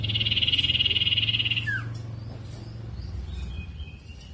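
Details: Lure recording of a sirtu meant to make other birds of its kind call back. A sustained high buzzing reel ends abruptly in a sharp descending slur, followed by faint scattered chirps and a low background drone.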